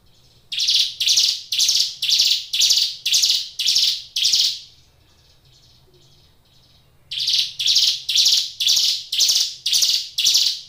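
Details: Hill Prinia, a caged songbird, singing vigorously: two long runs of harsh buzzy notes, about two per second, eight and then seven notes, with a quiet gap between them.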